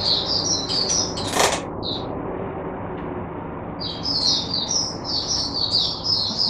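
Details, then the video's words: Captive oriental white-eye used as a teacher bird, 22 January 2022: short high twitters, a sharp knock-like noise, a pause of about two seconds, then a renewed fast run of bright chirping notes. "Mata Puteh Diva Sunday buka sing teacher bird for my other mata putehs"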